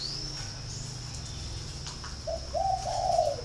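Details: Spotted dove giving a short, low, mellow cooing phrase near the end, a couple of soft hollow notes over a steady low hum and a faint high tone.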